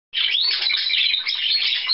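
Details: A canary sings on 4 April 2010, a continuous, high, rapid trill of bright chirps and rolling notes, sustained without pause throughout.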